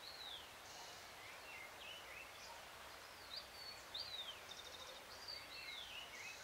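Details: Great thrush song on a full moon evening, June 13, 2022, about 6:26 PM; soft, thin whistled phrases with downslurred and upslurred notes, sharper bursts near the end, set against constant rustling background noise.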